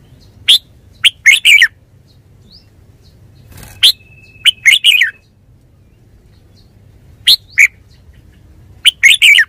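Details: Red-whiskered bulbul, a kept bird, repeating short bubbly phrases of clipped, slurred notes several times, with a brief rustle and a thin steady whine midway.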